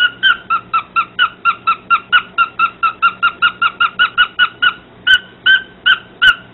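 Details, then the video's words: Pet parrot singing to a dog indoors; a rapid run of about twenty short whistled hoots, then slower, spaced notes, with faint clicks near the end. "Parrot singing to a dog"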